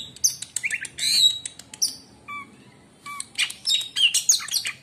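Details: Oriental magpie-robin singing, said to make other magpie-robins fall silent: bursts of dense chattering and whistled slurs, a pause with paired lower whistles, then more rapid twittering, faint hum behind.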